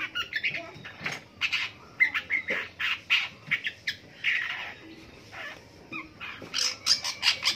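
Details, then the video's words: Long-tailed shrike singing in the morning: a busy run of harsh squawks and scratchy chattering notes, some buzzy, delivered in irregular bursts with brief pauses. "DENGERIN PENTET BUNYI DI PAGI HARI"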